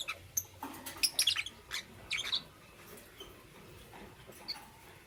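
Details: Lovebirds of green, yellow and lutino colours in the morning: scattered short high chirps and squeaks in a cluster, then a few isolated notes over quiet background hiss.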